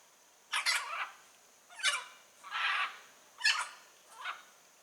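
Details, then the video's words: Blue-and-yellow macaw in the wild, five loud grating screeches in under five seconds, each rough and broadband, roughly one every second. "Arara Canindé na natureza"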